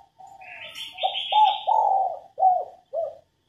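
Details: Female spotted dove coo meant to excite males to sing: a soft lead-in, then four or five low, rounded coo syllables in an uneven sequence, with a high chirp from another bird near the start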